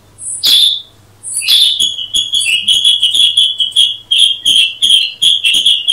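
A Black-headed Bulbul gives sharp, high chirps, first singly, then in a quick, slightly uneven run of bright notes. A faint low hum sits underneath.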